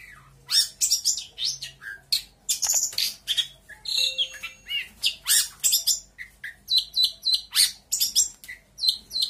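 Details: Long-tailed shrike of local Lampung stock, singing many imitations of other birds: sharp chirps, harsh buzzy bursts and clear whistles in rapid, uneven sequence, some phrases repeated in short trills.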